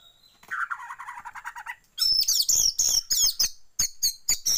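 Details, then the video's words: Oriental magpie-robin song used as a lure to provoke magpie-robins into tail-spreading display: a low buzzy warble, then loud, bright, high whistled phrases broken by sharp clicks, delivered rapidly over a few seconds. "pancingan kacer buka ekor"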